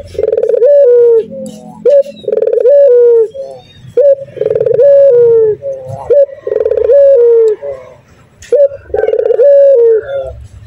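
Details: Persistently calling male local Barbary dove in 'nguku' style. About five coo phrases repeat every two seconds, each mellow and held, bending down, then flicking upward. Light clicks and a low background rumble.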